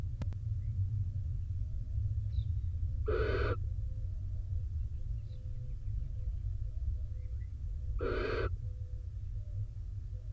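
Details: Rainy day at a barn owl nest box in Israel as the soaked male joins the female incubating eggs. Two short, breathy, harsh hisses roughly five seconds apart, against a strong, continuous low rumble with faint squeaks.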